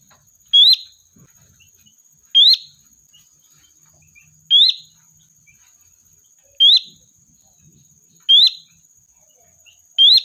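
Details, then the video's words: Sooty-headed bulbul calling its flock as a bird-catching lure, giving crisp rising whistles spaced roughly two seconds apart, six in a row, with a constant faint electronic-like whine behind. "Suara Burung Kutilang Gacor, Pikat handal memanggil kawanan"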